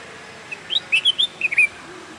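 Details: Bulbul singing a short bubbly phrase of six or seven quick whistled notes over about one second, pitched fairly high with slight up-and-down inflections, against a quiet steady background hiss.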